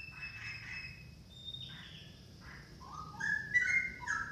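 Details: An orange-headed thrush gives a varied whistled song: a long high note, then short slurred whistles, ending in louder rapid dropping and rising phrases, with light background hiss.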